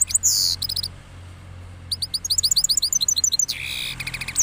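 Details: After its moult, a cross goldfinch delivers a rolling song: a buzzy trill, a pause, then a fast string of clear repeated chirps ending in a harsher buzzing phrase, with a low hum beneath.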